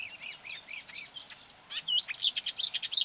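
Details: Marsh warbler lured by playback of its own song from a hung mobile phone, near quarry workings on 9 May 2020, attacking the phone and trying to outsing it: rapid varied high chattering, arched notes, then dense buzzy bursts.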